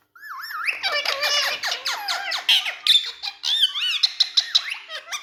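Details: Indian ringneck parrot talking alongside two other speaking parrots: wavering speech-like mimicry, rising and falling squeaky syllables, then a series of short clipped chirps, indoors.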